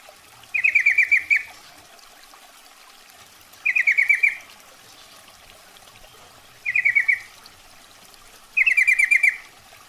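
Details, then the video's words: Female sooty-headed bulbul calling the male, used as a trapping lure sound; four bursts of rapid, chattering trilled notes at a steady mid-high pitch, each under a second long, spaced about two to three seconds apart, over faint background hiss. "trucukan betina memanggil jantan"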